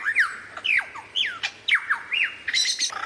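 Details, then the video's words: Lyrebird singing with variations: a string of squawky, downward-sliding notes delivered quickly and unevenly, ending in a dense, harsh burst. "suara variasi burung lyrebird"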